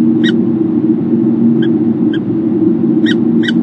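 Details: Female peregrine falcon at an Ohio nest camera, 8 February 2017, gives five short, harsh, clipped notes at an uneven pace over a loud, steady low rumble of wind or traffic.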